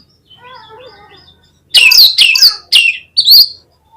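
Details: Oriental magpie-robin lure song: soft, low fluting notes at first, then four loud, separate phrases of sharp, slurred whistles, each falling then rising, spaced about half a second apart.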